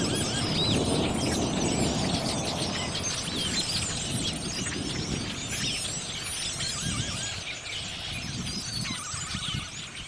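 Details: Huge flock of blackbirds massed along roadside wires and thick in a tree, erupting into the sky after a hawk landed among them; a dense, continuous chatter of countless overlapping squeaky, twisting high calls over a steady low rumble.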